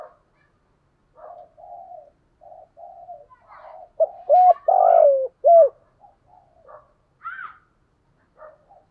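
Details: Decoy spotted dove in the 'thổ' voice, used daily to provoke wild doves: soft low cooing builds into a loud phrase of two coos, a long rolling coo and a last coo, with faint higher chirps around it.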